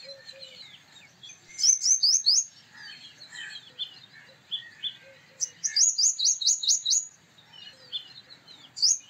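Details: Male purple sunbird singing, a very vociferous bird: bursts of rapid, high metallic notes in a quick series, pausing, then a second run of ringing notes, with softer chips between.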